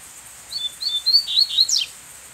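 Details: Brown-plumaged wild double-collared seedeater, perched above inside another male's territory, answers a captive decoy with a more whistled song: a string of bright, level and warbling whistles ending in one sharp falling slur, with a faint steady background hiss.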